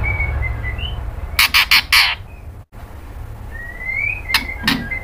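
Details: White-rumped shama, a female calling to the male: a tight run of four harsh rasping bursts, a pause, then a long rising whistle and two more rough notes.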